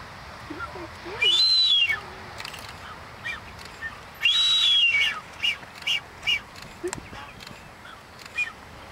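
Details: Blue-footed booby in the Galapagos performing its dance, giving two long, arched, high whistles about three seconds apart, then shorter whistled notes, with a few low grunting sounds underneath.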